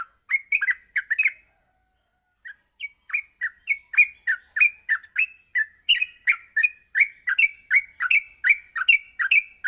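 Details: Yellow-vented bulbul in the morning, recorded as a tutor for bulbuls learning to sing fast: a short chattering burst, a pause, then a long quickening run of bright chirped and slurred notes.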